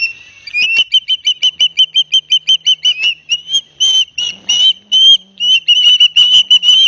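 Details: At a Barnegat Light, New Jersey osprey nest on 9 September 2021, live cam footage shows the father delivering fish to two young. Short whistled chirps repeat steadily, about three per second, then lengthen into longer wavering whistles amid some rustling.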